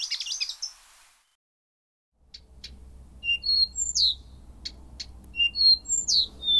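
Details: After a brief high twitter and a silent pause, a Blyth's reed warbler sings at night: short clicks interleaved with clear whistles, including a repeated phrase of a low whistle, a mid whistle and a downward slur.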